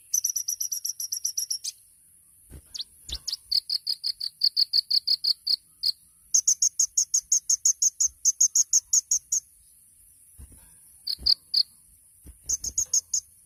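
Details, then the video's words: Kolibri ninja, the olive-backed sunbird, in tembakan-style song: thin, high trilled runs and rapid chip series in several bursts with gaps, some notes lower and softer than others. "MASTERAN KONIN TEMBAKAN MEWAH | SUARA BURUNG KOLIBRI NINJA JUARA"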